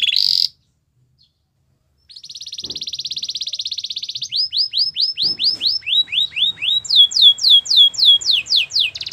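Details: Belgian canary singing: a short high buzzy note, a pause, then a long rapid rolling trill that breaks into series of fast downward-sweeping whistled notes, growing louder toward the end.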